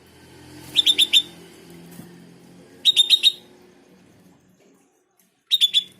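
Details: Sooty-headed bulbul song played to provoke replies from other bulbuls: three short clusters of three or four quick liquid whistled notes, spaced a couple of seconds apart, over a soft low background hum.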